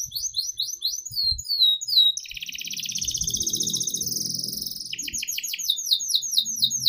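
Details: Canary lure song for training young canaries: fast repeated whistled notes give way to a long buzzy rolling trill, then another run of quick, sharp repeated syllables. Faint low noise sits underneath.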